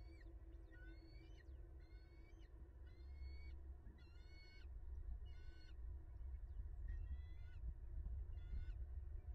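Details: Bald eagle calling at its nest in Southwest Florida on 20 January 2022 at 14:26, recorded by a live nest camera: repeated short chattering bursts of piping, slightly descending squeaky notes, about seven bursts, against constant low-pitched background rumble.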